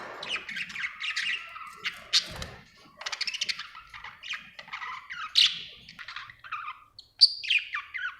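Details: Budgerigar described as happy, giving a continuous chattering warble of fast buzzy trills, clicks and short whistles, fairly soft throughout.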